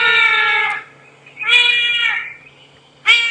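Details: Trumpeter Hornbill call played back by a guide on an early-morning safari drive, a bird said to be very unusual for these parts; three loud, drawn-out wailing cries like a baby crying, the middle one rising and wavering, separated by quiet gaps.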